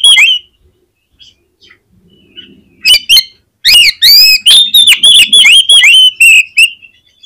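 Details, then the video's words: Singing oriental magpie-robin, a loud bird meant to provoke others of its kind into song: a short whistled phrase, a pause, sharp notes, then three seconds of rapid, ringing whistles and trills with strong slurs. "SUARA KACER GACOR INI SANGAT AMPUH BIKIN KACER LAIN CEPAT NGEPLAY"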